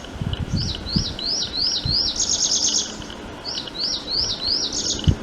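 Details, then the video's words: Prinia giving rows of sharp, rising, high-pitched notes in quick succession, each run ending in a thin metallic rattling trill, then repeating; a few low soft thumps early on and at the end. "The call I Prinia I वटवट्या"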